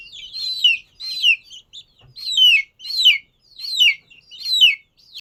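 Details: Loud, piercing peeps from a domestic chicken chick, about seven downslurred whistles separated by short pauses, with only faint background noise.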